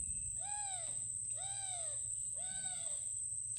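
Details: Dove calling in the quiet mangrove forest of the Sundarbans during crab catching: three drawn-out, arched hooting notes about one second apart, over a steady high insect-like whine and low background rumble.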